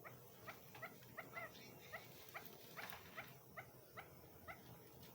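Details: Female chukar partridge, kept by a hunter as a bird ready for hunting, gives a steady run of short harmonic clucking notes. They repeat about every half second over faint low background hum.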